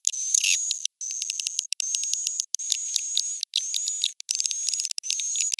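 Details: Swiftlet roosting call played to attract swiftlets: high thin chirping trills in repeated segments about three quarters of a second long, separated by brief gaps, with a steady whistled tone throughout.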